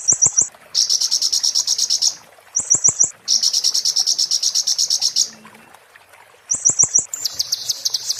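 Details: Oriental white-eye singing in the muntah beling style, used as a master recording for tutoring: bursts of high chips lead into rapid metallic trills lasting one to two seconds. The bursts repeat with short pauses and some faint clicks.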